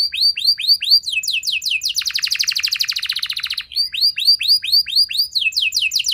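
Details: A canary sings a lure phrase: repeated falling whistled notes, then a dense, very fast buzzy roll lasting nearly two seconds, then the falling whistles return in a steady series.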